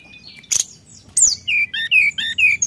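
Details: Brown-chested jungle flycatcher singing hard to provoke rivals, a noisy high burst followed by clear downslurred whistles repeated about every quarter second, with a faint low hum beneath.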